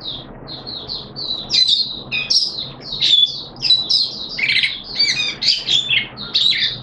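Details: On the second day of monthly deworming, 13 September 2022, a caged white-eye delivers a steady stream of high chirped and warbled notes, growing louder and busier toward the end.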